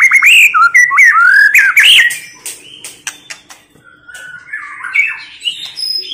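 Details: White-rumped shama female tạch líu voice, used to fire up males for fighting: rich slurred whistles rising and falling with a few harsh clicks, then a quieter spell of softer whistled notes.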